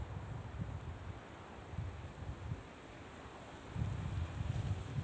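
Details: Steady wind buffeting the microphone with low rumbling gusts, louder near the end; no animal calls are heard.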